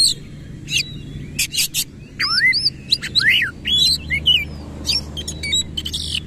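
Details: Kacer (Oriental magpie-robin) in lively 'nembak ngerol' song, its tail fanned out: swooping whistles dipping and rising in quick succession, mixed with sharp high clicks and short trills, steady background hum beneath.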